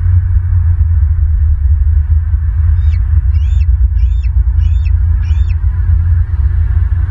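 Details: Wild bald eagles at a nest in Southwest Florida, 22 March 2023 around 6:30 pm; five high, thin chittering calls, each a quick falling-rising note, given about once a second over a loud, steady low rumble.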